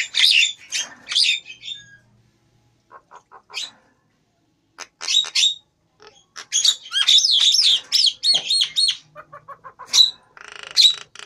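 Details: Captive Nias hill myna, its head turning grey, singing an energetic medley: loud harsh squawks, quick series of short clicking notes, and a long chattering run of wheezy, whistled phrases.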